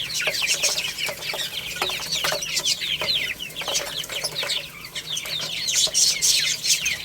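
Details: Little chicks at play and feeding: dense, continuous high cheeping from many birds, short slurred peeps tumbling over one another, with occasional dry taps.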